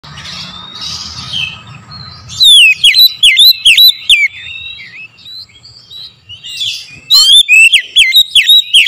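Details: Oriental magpie-robin lure song played in the morning to provoke other magpie-robins: after soft background chirping, loud sharp down-slurred whistles repeat rapidly in two bursts, about two to three per second, with quieter warbling between.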